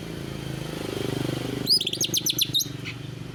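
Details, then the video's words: Greater green leafbird giving a canary-style song: after low engine rumble, a burst of rapid high chirped and trilled notes begins midway and runs in quick, uneven strokes to the end. "Cucak ijo rasa kenari"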